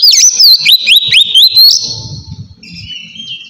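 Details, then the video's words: Relaxed white-rumped shama song for luring wild birds; quick looping whistles climb into a long high held note, then a softer lower whistle with low rumbling in the background. "suara kacer ngeplong santai sangat cocok buat mancing kacer bahan"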